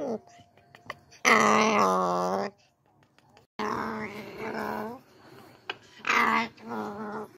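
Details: A pet umbrella cockatoo (Cacatua alba) sings three drawn-out, voice-like phrases, each rich and wavering and one to two seconds long, separated by short pauses with faint clicks.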